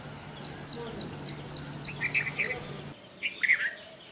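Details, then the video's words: Red-vented Bulbul singing in India: two short bursts of rich, slurred, warbled notes, preceded by a rapid run of thin, high chirps from another bird over a low steady hum. "Red Vented Bulbul Bird Singing"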